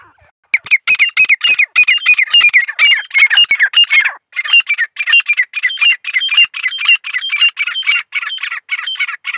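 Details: Grey francolin song as a dense, rapid run of harsh, rasping notes that starts abruptly and continues almost without pause, with shifting, uneven rhythm and a strident, squawky tone throughout.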